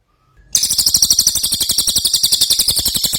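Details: Ashy tailorbird singing vigorously, recorded as tutor song for other cagebirds: after a brief silence, a continuous, very rapid, high, buzzy trill of evenly pulsed notes runs steadily to the end.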